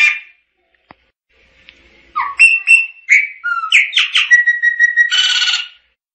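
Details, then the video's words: Chopi blackbird singing: a varied phrase of clear whistled notes and slurred upward and downward sweeps, ending in a fast buzzy trill of repeated notes, with short silences before. "Tordo Chaqueño Cantando - Chopi Blackbird Singing"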